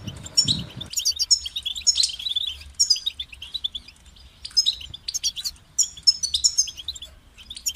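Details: Motivating song of a European goldfinch: after a brief low noise at the start, high tinkling twitters and buzzy chirps come in quick repeated phrases separated by short pauses.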